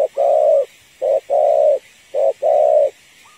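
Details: Female spotted dove calling to a male, used as a lure for trapping: three repeated phrases, each a short coo then a longer sustained coo, spaced about a second apart, steady and mellow, over faint background hiss.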